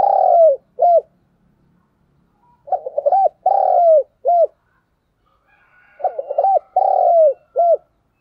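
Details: Spotted dove kept as a decoy to call wild doves, repeating its coo phrase three times about every three seconds: stuttered opening notes, a long descending coo, then a clipped ending note, with a quiet background.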